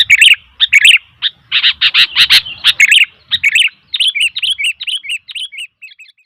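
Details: A noisy sooty-headed bulbul pours out dense bubbly chirps that merge into a busy chatter, then thin into a fast run of lighter, higher twittering notes.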